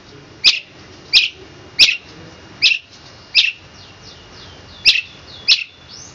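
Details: Long-tailed shrike in a master recording for training birds, 'tembakan kristal' song style: seven sharp, high chirps at roughly regular intervals over a faint steady hiss.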